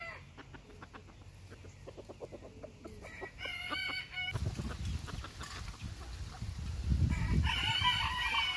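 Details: Bantam Phoenix chicken giving a run of quick, evenly spaced clucks, then low rumbling handling noise and a brief higher call near the end.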